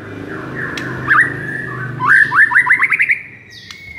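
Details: White-rumped shama, recorded for rousing a listless shama into a rage: a held whistle broken by a short flourish, then a rapid rhythmic series of zigzag notes, ending in a high steady tone.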